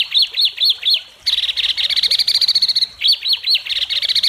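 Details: White-rumped shama in an Indonesian singing competition, praised for sharp, cutting phrases: four arched whistled notes, then a rapid stuttering chatter, then the arched notes again followed by fast ticking.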